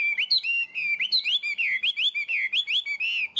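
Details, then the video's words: Chinese hwamei kept as a tame cage bird, singing a fast, steady stream of clear whistled notes that rise and fall, with about a dozen short phrases packed together. "Chim họa mi thuần, hót tốt, hót cao cầu"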